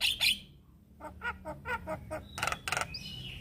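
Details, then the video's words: Male Javan myna calling young birds: two sharp squeaks, then a steady series of short nasal chattering notes, two loud harsh bursts, and a closing high whistle. "Kicauan Jalak Kebo Jantan Memanggil Kawan Jalak Kebo Muda"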